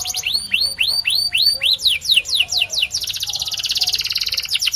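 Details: White canary song: a string of sweeping, swooping whistled notes about two per second, then a sudden switch to a fast, buzzy high trill.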